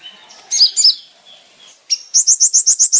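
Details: Kolibri ninja sunbird singing, used as a lure: a few high, squeaky chips, a quiet stretch, then a run of about eight sharp, upslurred high notes repeated quickly and evenly.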